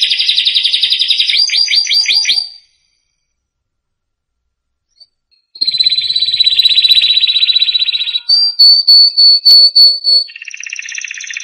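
A canary sings fast, rolling trills and buzzy runs, then a string of bright, repeated whistled notes, after a brief silent break.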